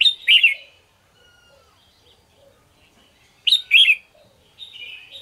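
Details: Red-whiskered bulbul singing in the morning in the energetic 'ché' style: two loud bursts of bright, slurred whistled notes about three seconds apart, with a softer warbled phrase near the end and quiet twitters between.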